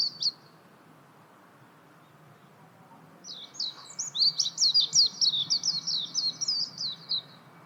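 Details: Warbling white-eye: one short high chirp, a silent gap of about three seconds, then a hurried, jingling series of high twittering notes lasting roughly four seconds.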